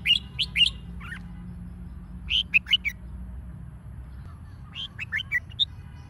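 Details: Red-whiskered bulbul used to spur competition singing: bursts of short, clear, warbled notes around the upper-middle range, in three groups of three to five notes separated by pauses, over a low steady hum.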